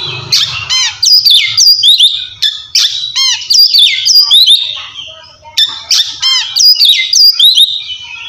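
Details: Oriental magpie-robin, likely caged, delivering kacer ngeplong song meant to call a rival and stir quiet birds into singing; loud bursts of rapid descending whistled ticks and slurred notes, repeated in phrases with brief pauses.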